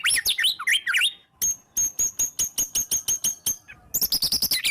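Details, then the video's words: Singing white-rumped shama in "gacor" form, used to draw song from other shamas; a tumbling warbled phrase gives way to a steady series of about fifteen sharp, evenly spaced ticking notes, then fast chattering resumes. "murai batu gacor EMOSI NGEPLONG full isian TEMBAKAN jitu jadikan pancingan murai batu agar bunyi"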